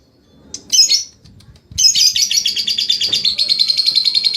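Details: Lovebird trained to ngekek: one brief harsh burst, then a long continuous high trill of fast, evenly repeated pulses lasting over two seconds to the end.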